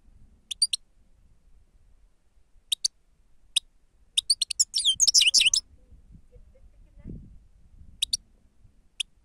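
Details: Lure recording of a grey-crowned goldfinch, labelled 'sava': scattered short, high, paired notes, then a dense burst of bright twittering near the middle, with a faint low thud afterwards.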